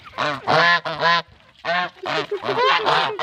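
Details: Goose honking while hungry: loud, raspy, nasal calls in uneven clusters of two or three, separated by short quiet pauses.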